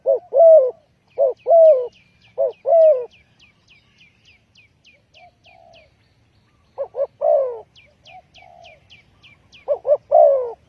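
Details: Spotted dove giving a trapping lure call: groups of deep, burry coos, each a short doubled note and a longer drawn coo. Between phrases, another bird gives rapid series of thin, high chirps.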